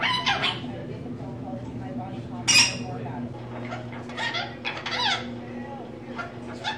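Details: Pet female rainbow lorikeet talking, mimicking human phrases; scattered bursts of scratchy, squawk-like syllables, one loud harsh burst midway, over a steady low electrical hum.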